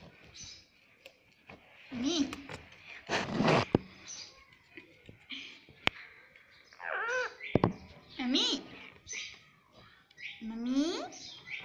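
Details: Pet Indian ringneck parrot talking, said to speak the words "mummy papa": wavering, nasal, speech-like phrases with strong harmonics, several short bursts a few seconds apart, mixed with clicks, knocks and quieter background noise.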